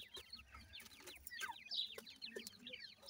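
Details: A crowd of grey francolin chicks, farm-raised in Pakistan, calls in a soft, steady stream of high downslurred cheeps, one slightly louder rising note standing out near the middle.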